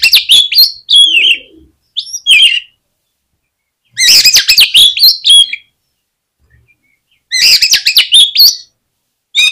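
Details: Oriental magpie-robin song used to provoke other birds to sing: loud dense bursts of rapid chattering and whistled notes, about four per second, in phrases of one to two seconds separated by silent pauses.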